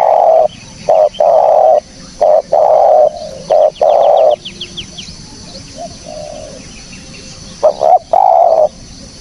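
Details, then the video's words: Loud spotted dove coos in a repeated series for luring birds. Short and long hollow notes come in bursts, with a pause partway through. Brief high chirps from another bird appear between the series. "SUARA BURUNG TEKUKUR BERSIH JERNIH, cocok buat pancingan / pikat"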